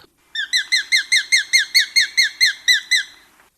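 Sharp-shinned Hawk giving a fast, even series of about a dozen high, thin, down-slurred kek notes, roughly five a second, with nothing else heard.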